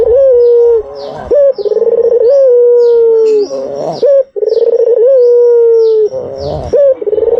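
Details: Low, drawn-out coos from a white dove used as a lure. Each begins with a rising catch, trembles, then glides into a steady tone. Repeated at a calm, even pace.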